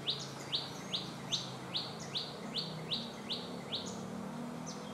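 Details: Cit kemade bird in its natural wild habitat gives a steady series of short, high, sharp chip notes, about two or three each second, over soft outdoor background noise.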